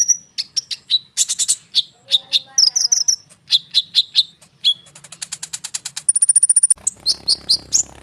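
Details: Konin bird singing continuously and densely, used to make other birds respond: a varied, nonstop medley of high whistles, sharp chips, fast buzzy trills and a thin high rattle near the end.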